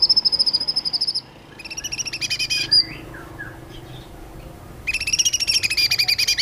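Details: Sooty-headed bulbul, known locally as cucak kinoi, singing actively in long bursts (tembakan panjang): rapid high trills of evenly repeated notes, then harsher chattering phrases, a short quiet gap, and another dense trill.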